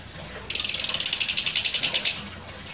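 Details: Contest-winning orange-headed thrush firing a sharp burst. A high, dense, buzzy rattle of rapid pulses lasts about one and a half seconds over a quiet background.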